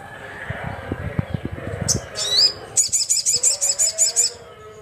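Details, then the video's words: Sunbird known locally as sogon calling rivals: after low tapping knocks in the background come a high upswept squeak and a fast series of about ten bright, buzzy high notes. "SUARA BURUNG SOGON GACOR KERAS, GACOR JUARA"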